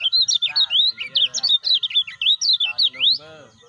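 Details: Kecial kuning (lemon-bellied white-eye) in captivity, a stimulation recording to rouse stalled or new birds: fast chains of high, zigzagging whistled notes, several per second, with a steady faint tone behind and a low murmur.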